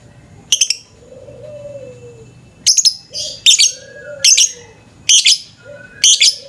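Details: Lovebird in the morning, recorded as a lure for other birds: loud, harsh, buzzy chirp bursts repeated roughly every second, with softer low whistled notes from other birds between them.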